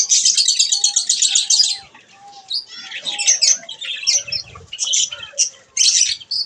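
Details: At bath time, budgerigars start with a rapid, even run of fast chirps, go briefly quiet with faint whistles, then return to scattered squeaky, warbling notes.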